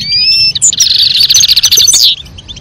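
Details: European goldfinch pair, a female calling and a male singing to stimulate mating: a long clear whistled note, then a rapid buzzy trill of high twittering notes for over a second before it fades.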